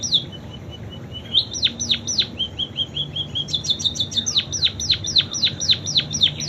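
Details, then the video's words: Munia singing canary song imitations: soft level notes, a run of steep falling whistles, a brief high rapid trill, then a steady series of loud descending swoops. "Burung PIPIT Full isian KENARI"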